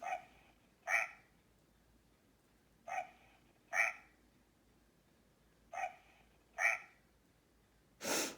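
Great Blue Heron giving harsh, hoarse squawks in pairs roughly every three seconds, closing with a longer rasping blast; a faint low hum underneath.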